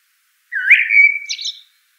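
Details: A single common blackbird (Turdus merula) phrase: a low fluty rising whistle held steadily, then breaking into a thin, squeaky high twitter at the end, surrounded by silence.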